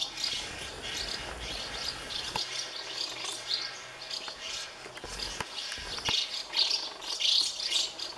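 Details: House martin colony of thirty nests full of hungry chicks being fed by parents; continuous high scratchy twittering, irregular chirps about twice a second, with faint clicks and low hum.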